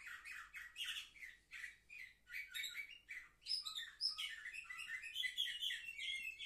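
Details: Young canaries, seven months of age, kept indoors and filmed 10 November 2023: pulsed phrases of rolled notes give way to a higher, quicker twittering trill.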